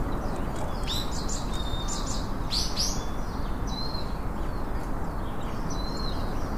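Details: Wild chopi blackbird sounding clusters of bright, high chirps followed by sliding whistled notes, over constant low-pitched background noise.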